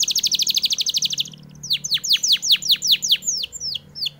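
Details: Canary singing energetically as tutoring material for white-eyes: a fast, even trill of high pulsed notes for over a second, then a series of steeply falling whistled sweeps repeated about three per second, with faint background hum.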